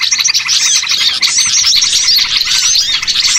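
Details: Small birds as a catching lure, a tight mass of high chirps with occasional clearer whistled upward-curving notes riding over the chatter.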